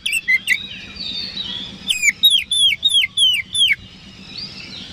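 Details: Oriental magpie-robin song used as a lure to make rival birds respond: brief whistles, then a string of six clear, downward-sliding whistled notes in quick succession, trailing off into quiet hiss.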